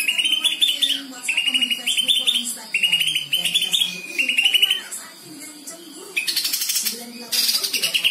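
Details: Greater green leafbird giving repeated trilled phrases of rapid, even notes at a steady pitch, about one per second. A burst of harsher, scratchy chatter follows, with a low human voice murmuring underneath.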